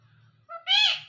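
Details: Hand-tame parrot speaking happily at home repeats a two-syllable word: a brief tonal onset, then a loud, rich, slightly arched second syllable, over a steady low background hum.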